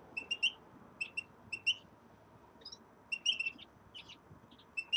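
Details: Common redpolls settling into a new cage give short, high chirping calls in quick clusters of two to four notes, repeated every second or so, over a soft background hum.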